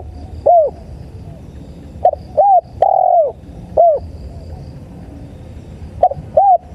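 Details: Tekukur, the spotted dove, in a bird-luring playback recording, giving soft hooting coos in small groups of two or three notes, one longer note in the middle, separated by brief pauses, with faint low background hum.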